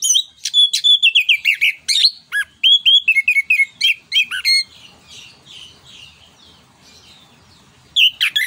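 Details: Orange-headed thrush (anis kembang) in full song, used as a tutor and stimulus for other birds. Fast run of whistled, downslurred and chattering notes for about four seconds, then faint soft twittering before a final loud phrase.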